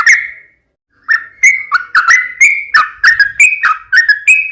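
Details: Yellow-vented bulbul song in an energetic fighting style, used to prompt a caged bird to reply: a brief opening phrase, a pause, then a rapid run of sharp, bubbly, two-tone whistled notes, about three per second.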